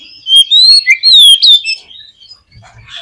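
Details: Oriental magpie-robin singing, played to make a pet bird sing: several clear, sweet whistled phrases gliding up and down, ending abruptly with faint chatter afterward.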